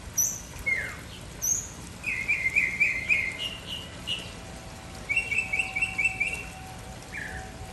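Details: Mockingbird singing melodies: two bursts of rapid, evenly repeated chirping notes, with scattered thin high notes and short slurred calls between them, over a faint steady hum.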